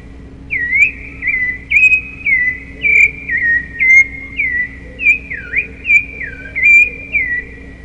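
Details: Rufous-bellied thrush singing a long string of about thirteen short, bright whistled notes, alternately falling and rising slurs, spaced roughly every half second, with a low constant hum behind.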